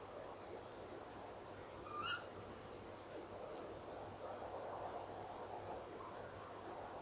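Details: Tawny owl female perched near the nest box at night in early December 2013, calling after leaving the box; one quick rising call early on, then only hum and noisy background.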